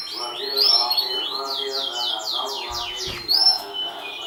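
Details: Champion Atlantic canary from 2014 singing: rapid high trills and sweeping whistled phrases, with a short burst of louder notes near the end, over a steady lower harmonic hum in the background.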